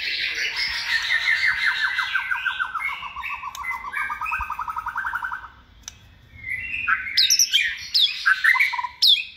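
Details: Hand-raised caged white-rumped shama, second season, kept for singing contests, pours out a long rapid trill of repeated descending notes for about five seconds. After a short pause come varied high whistles and chattering phrases, with faint background noise.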